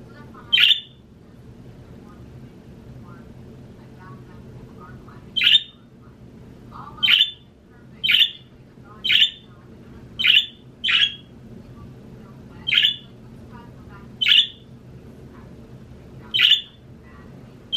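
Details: A male pet budgerigar wanting out of his cage and back with his brother gives sharp, bright squawking chirps at irregular intervals over a low, steady background hum.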